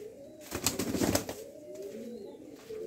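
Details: Domestic pigeons that are kept and given food and water give low, soft, rolling, throaty cooing notes, with a brief burst of clattering noise.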